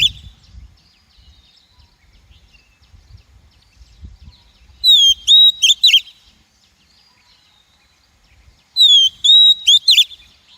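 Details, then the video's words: Female Oriental magpie-robin voice played to rouse and train wild-caught males and for trapping; two phrases about four seconds apart, each a descending clear whistle then clipped buzzy notes, with a low rumbling background. "Tiếng chim Chòe than mái kích bổi, luyện giọng bổi, bẫy chòe"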